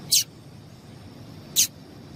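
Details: Call of a female double-collared seedeater, meant to stir up males: two short, very high, piercing chirps about one and a half seconds apart against quiet low rumble.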